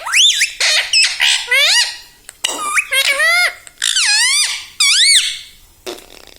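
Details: Parrot imitating speech at home, repeating words like mummy, papa and mithu in rapid, squeaky, looping syllables with sharp pitch sweeps, densely packed over several seconds.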